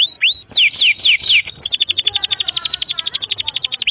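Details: Canary singing a long tutor song for young and silent birds: a few rising and falling swept whistles open into a rapid, even trill of high repeated notes, clear and loud throughout.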